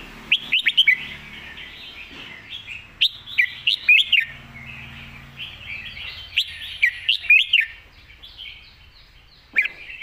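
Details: Red-whiskered bulbul in 'master song' style, giving lively clusters of sweet, bouncing whistled notes about every few seconds, with fainter twittering from other birds underneath.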